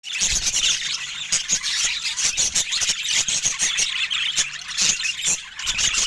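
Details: Pet budgerigars chirping in a dense, continuous chatter of high, scratchy twitters and warbles, with frequent sharp clicks and ticks throughout and no music or speech.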